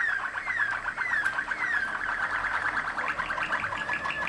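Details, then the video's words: Waterslager Malinois canary, Kumanovo, Macedonia, singing repeated falling whistled glides over a pulsing rolled trill, then a quicker series of bubbling notes, with faint low room hum. "Waterslager, Malinois song"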